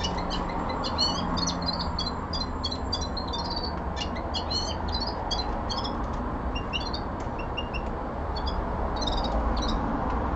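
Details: Common linnet singing indoors at home, a long run of dense, chattering twitters and buzzy chirps delivered in rapid clusters with brief pauses, over continuous low-frequency background hum.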